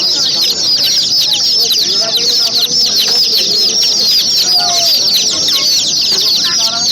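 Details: Many chicks peeping together in a dense, unbroken chorus of high, short, rapidly repeated chirps, with faint lower clucking-like notes beneath.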